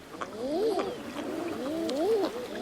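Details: Common Eiders in early May, during mating season on Frederiksö in the Pea Islands east of Bornholm in the Baltic, give soft crooning 'ah-ooo' calls that rise then fall: two drawn-out moans a little over a second apart over a faint watery background.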